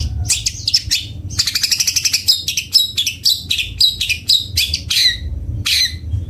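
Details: Long-tailed shrike of the bondol type singing sweetly: a lively, varied chatter of high, rapid scratchy notes and short trills in quick bursts, with a faint low rumble underneath.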